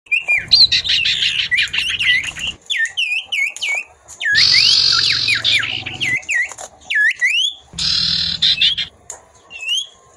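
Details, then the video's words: Common iora singers trade clear, swooping whistles back and forth, broken three times by a female's harsh, buzzy chattering lasting a second or two. "sirtu/cipoh gacor bersahut-sahutan & betina nyrecet"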